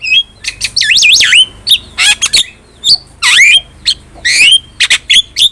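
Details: Javan myna in vigorous song for cage-bird training: looping, wavering whistles alternate with harsh buzzy bursts and scattered short squeaks.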